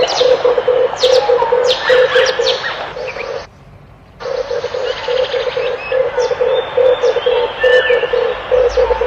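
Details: Low, rolling cooing of a red collared dove repeated in quick pulsed phrases, broken by a short silent gap, with small birds chirping and whistling high in the background throughout.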